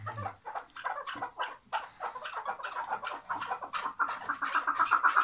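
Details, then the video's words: Caged chukar partridge from Şırnak calling in a rapid chattering series of clucking notes that speeds into a steady pulsed run, rising in intensity toward the end; brief laughter at the start. "ŞIRNAK KEKLİK SESİ | Bağlı Keklik Sesi Bir Başka"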